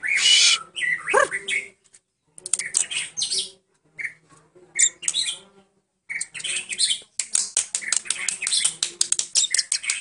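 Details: Murai batu Medan (white-rumped shama) singing with imitations of other birds such as cililin, cucak jenggot, kenari and prenjak: bursts of sharp chirps, squawky notes and a swooping whistle, broken by short silences.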